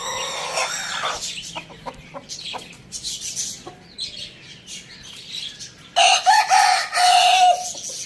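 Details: Morning rooster crow: scattered small-bird chirps and clicks lead in, then a loud crow of several sustained, slightly wavering notes over about one and a half seconds closes the recording.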